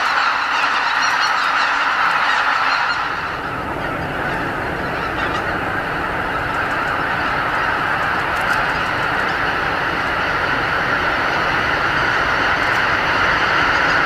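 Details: Pre-dawn roost departure of about 80,000 greater white-fronted geese at Lake Miyajimanuma, Bibai, Hokkaido, in spring; a continuous chorus of honking, with a low rushing rumble, likely of wingbeats from the departing flock, joining after a few seconds and continuing to the end.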